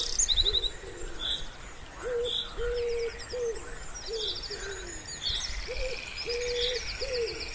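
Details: Soft hooting coos of a wood pigeon by a pond in spring, several rounded low notes with longer held ones in a repeating phrase, against busy high songbird trills and chirps.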